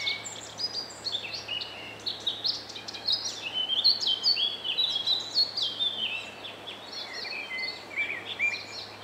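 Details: Common sandpiper at Joachimów Mogiły reservoir, Poland, 27 May 2017, giving thin, high, piping notes in quick, uneven bursts.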